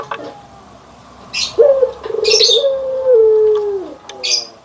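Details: Barbary dove, white and brown birds compared: a low drawn-out coo, a short note rising into a long level tone that sinks at the end, with sharp high chirps from other birds around it.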